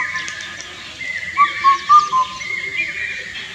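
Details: A single four-note phrase of Indian cuckoo (Cuculus micropterus) song: mellow, evenly spaced hooting whistles, the last slightly lower, over faint higher calls from another bird.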